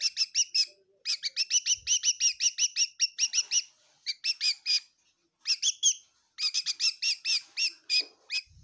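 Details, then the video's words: Indoor bird in a Kohima-area kitchen gives strings of sharp high chirps in quick succession, pausing briefly between runs, with faint low knocks. "Amazing bird in my kitchen chirping bird sounds of bird"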